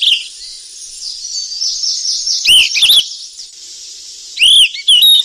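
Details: Golden flycatcher in the wild feeding its young. After a low hiss, a cluster of sharp whistled chirps arrives, then more bright, slurred chirps near the end.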